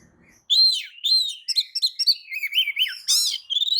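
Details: Oriental magpie-robin (kacer), a tail-spreading bird, giving a lure song meant to provoke other magpie-robins into answering: loud varied whistles with sliding and warbled notes, ending in a harsh burst and a rising whistle after a quiet start.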